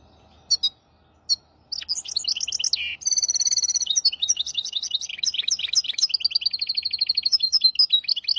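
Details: Caged hybrid finch singing a training song for goldfinches and canaries: a few isolated chirps, then a continuous rapid twittering of high trills and buzzy notes, ending in fast repeated chips.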